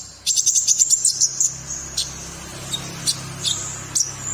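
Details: Ashy tailorbird, locally called konin, singing busily in the morning. A quick burst of about a dozen thin, high chirps opens, then single sharp notes follow at uneven gaps over a constant high hum.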